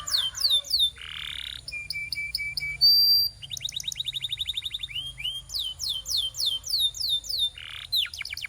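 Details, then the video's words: Training song of a canary: sharp falling chips, a short harsh buzz, repeated level whistled notes, a bright sustained tone, then a rapid rolling trill and quick descending sweeps. "Transform Your Quiet Canary into a Singing Champion!"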